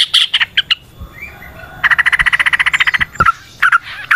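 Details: Yellow-vented bulbul singing in its natural setting: loud opening chirps, then a fast, regular chattering trill of about a second, followed by clipped bubbly notes.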